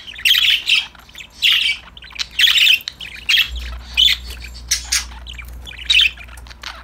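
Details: Several budgies having fun, chirping and singing together: a steady run of loud, scratchy squawks roughly every second, and a faint low hum in the background.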